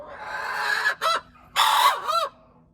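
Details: Hen crowing, recorded January 21, 2025: a hoarse, strained crow with one long rough note, a brief break and a short note, then a longer harsh note ending in a falling, arched tail. A low steady hum sits underneath.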